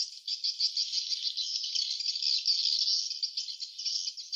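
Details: Swiftlets at their nest producing a continuous high buzzy twitter, an unbroken dense band of rapid chirping with gentle rises and falls in loudness.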